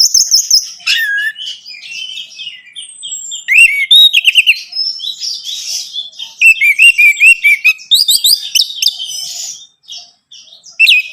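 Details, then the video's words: Varied song of an orange-headed thrush, used to stimulate a caged bird into singing: fast sequences of bright whistles, chattering bursts and looping upslurred notes, phrases changing constantly with few pauses, ending in a short gap and a final burst. "Merangsang ANIS MERAH Berani Bunyi, Saat Diputarkan Kicauan Ini dalam Beberapa Menit."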